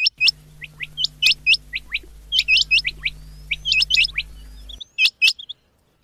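Rain quail giving sharp, high, hooked chirps, often in quick pairs and clusters, over a steady low electrical hum that cuts out near the end.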